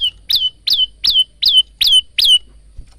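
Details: Six loud two-part notes from a male bar-winged prinia: each a bright rising chip slurring down into a level whistle, spaced roughly every third of a second. Phone recording.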